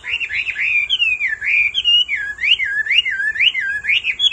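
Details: Hwamei male, roused by the constant calls of a female, pouring out a continuous loud wavering whistle that loops up and down without a break.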